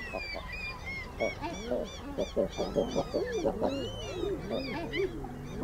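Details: Common eider among a busy chorus: low arched crooning notes repeat through the recording, mixed with higher chattering and sharp calls of other seabirds.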